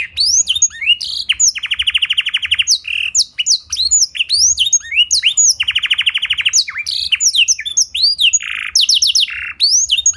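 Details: Canary with a blackthroat-style song fill-in, in clear voice, used as a tutor to prompt other canaries to sing. Fast, varied high chirps and slurred whistles, with two long rolling trills repeated in sequence.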